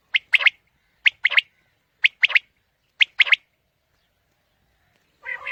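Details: A quail call used for morning quail hunting: a sharp, liquid three-note phrase repeated about once a second, four times over, followed by a brief harsher burst at the end.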